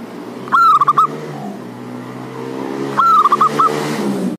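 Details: Male local zebra dove, known as perkutut, with a loud voice, calling out to a rival; a lure for doves that will not sing. Two stuttering cooing phrases, a rising note then clipped repeated coos, over a steady engine hum.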